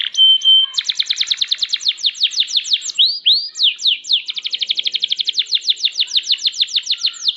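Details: Canary of champion quality singing: a brief steady tone, then long rapid series of sharp falling notes, a few swooping whistles, and another extended rolling trill.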